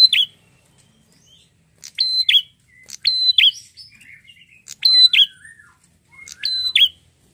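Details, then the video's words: Lively song of a prinia described as red-headed: five evenly spaced phrases, each a shrill flat whistle snapping into a dipping note, with faint twitters in the gaps. "prenjak apapun langsung nyautt gacor dengan prenjak gacor ini"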